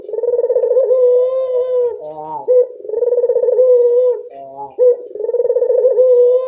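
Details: Barbary dove heard at dusk, a lure recording meant to prompt reluctant doves to call: long purring coos with a held, even tone, broken by brief rising hiccup notes, in three near-continuous phrases.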